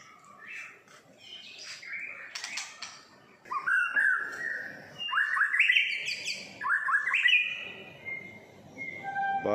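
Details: Young pet white-rumped shama, six and a half months old, tail still growing, singing in the morning in Singapore: a varied run of rich rising whistles, chattering notes and fluty phrases, loud bursts about every second.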